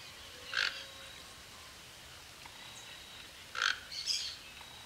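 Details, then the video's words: A wild Toco toucan in Tupi Paulista, São Paulo, Brazil, gives a few short, harsh croaking notes spaced a few seconds apart, with faint thin tones of other small birds or insects in the background. "O canto do Tucanuçu, Tucano Toco."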